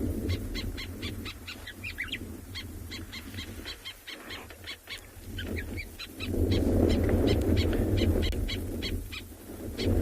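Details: On a morning safari in South Africa on 15 October 2020, a White-browed Sparrow-Weaver repeats the same harsh alarm note rapidly, several times a second, while mobbing a snake, over low rumbling noise and wind.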